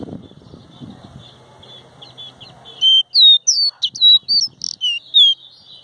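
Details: Caboclinho seedeater with faint high notes over low background noise, then a loud burst of varied whistled notes, some curling and sliding, delivered in rapid sequence.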